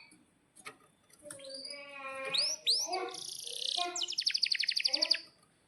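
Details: Atlantic canary singing a long energetic tutor song used to teach young canaries and stalled singers, with long rolling trills: fast chirps, buzzy rolls and swooping whistles, ending in a rapid pulsed trill repeated about four times a second.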